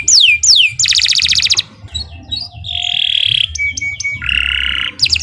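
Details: Canary song used to prompt pet birds to sing: two falling whistles, a loud buzzy trill, softer scattered notes, then harsh buzzy rolls and thin sustained high tones.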